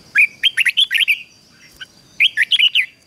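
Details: Caged red-whiskered bulbul in an intense ché-style song meant to train other bulbuls to sing: quick runs of loud, bright, slurred chirps, a pause with one faint note, then another fast chirping run. A faint constant high hum is present.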